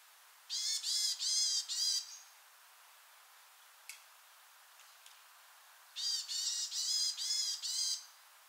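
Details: Varied tit (Sittellia varia) call: two bursts of four or five nasal, buzzy high notes in quick succession, separated by a few seconds of quiet.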